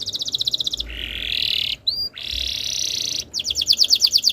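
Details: Canary song played as a tutor to get other canaries to sing: fast pulsed trill, a long steady buzzing roll broken by a brief swooping note, then a high rattling trill.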